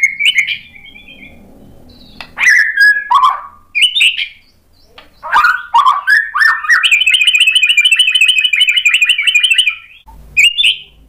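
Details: White-rumped shama with sharp, energetic song intended as a lure for answering birds: scattered whistled and chipped notes, then a long steady rapid rattle of repeated notes lasting several seconds, ending in a short whistle.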